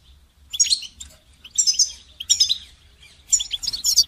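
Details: Goldfinch training song: four lively bursts of high, liquid twittering with buzzy chirps, each lasting under half a second to a second, separated by brief silences.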